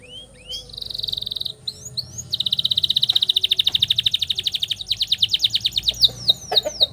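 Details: Canary singing a long roll meant as training song for young canaries: a buzzy trill, a few upswept whistles, then a long even series of rapid pulsed notes slowing slightly toward the end.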